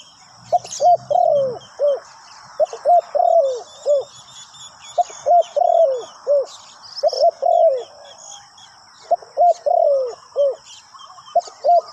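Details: Decoy spotted dove calling wild birds from the ground, cooing over and over. Phrases of soft hooting notes each close on a long, sliding, downward croon, repeated about every two seconds. High bird chirps and a thin steady tone run underneath.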